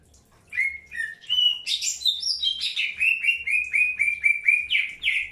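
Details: Greater green leafbird during early pairing, kept birds being introduced: a run of clear whistled notes around mid pitch, starting with two sliding whistles, then a high burst and a steady string of short repeated chirps.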